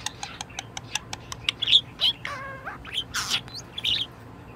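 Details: Cheerful pet budgerigar in top spirits: a run of rapid dry clicks, then scratchy chirps and a few wavering, slurred whistles, all high-pitched and chattering.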